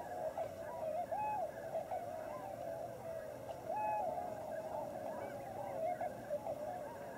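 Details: Large wintering flock of Tundra Swans, Klamath Basin refuge on the Oregon/California border, giving a dense chorus of mellow whooping and hooting notes, individual calls rising then dropping above a steady crowd murmur.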